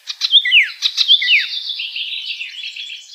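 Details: Wild icterine warbler: two clipped phrases of sharp ticks and falling whistles, running straight into a long, thin, scratchy warble that trails off quietly.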